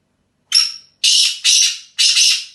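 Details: Black francolin of desi type in England gives a complete call: a thin high whistled opening note, then three loud grating, buzzy notes at roughly half-second intervals, in a quiet setting.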